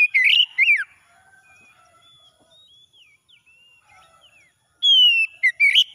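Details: Oriental magpie-robin singing in the morning: loud twisting whistled phrases at the start, a stretch of soft, thin, scattered notes, then a bright falling whistle and further quick notes at the close.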